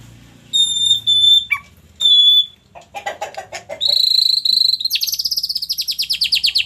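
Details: White-rumped shama song used as a lure to prompt another shama to sing: clear high whistled notes and a falling slur, then a burst of mixed chattering notes and a fast series of sharp, buzzy descending chips.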